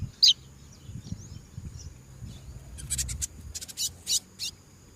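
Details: Double-collared seedeater singing and calling in the wild: one sharp high note, then a quick run of short buzzy high notes in the last two seconds over a steady high insect-like tone and low background rumble.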